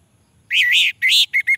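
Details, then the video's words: Brief orange-headed thrush song fragment, used as a lure for lazy males: two loud, slurred whistled notes dipping and rising, followed by two short clipped chirps. "Suara Anis merah untuk pancingan"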